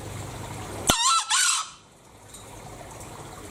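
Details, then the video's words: Bali green junglefowl delivering one shrill, richly harmonic crow in two parts split by a brief dip, under a second long, then quiet apart from a low steady hum. "Suara Ayam Hutan Hijau Bali"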